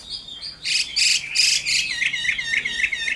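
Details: Caged Chinese hwamei, wild-caught as an adult, giving a couple of whistles followed by loud buzzy bursts and then a quick series of repeated chirping notes.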